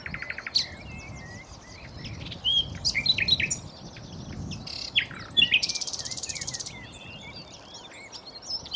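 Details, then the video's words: Common nightingale singing: varied high whistles, short buzzy notes and sharp chirps, ending in a fast pulsed rattle around five to seven seconds, over faint low background noise. "chant de rossignol superbe"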